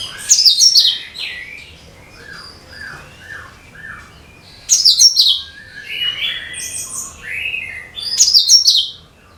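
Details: Leafbird known as cucak kinoi, song used to attract other birds. Bright twittering bursts repeat about every four seconds, separated by a run of four falling, slurred whistles.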